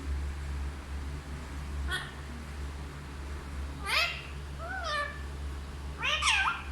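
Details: Parrot talking in Hindi: three spaced harmonic, voice-like utterances, each bending up and then down, with short pauses between them. A steady low hum runs underneath.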